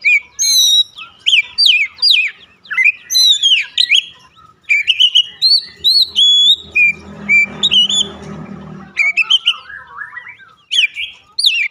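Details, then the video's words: Daily lure recording of an Oriental magpie-robin (kacer) to trigger singing: bright varied whistles, quick downslurs and held tones in bursts, with a low rumbling noise around the middle. "pancingan harian Kacer langsung gacor"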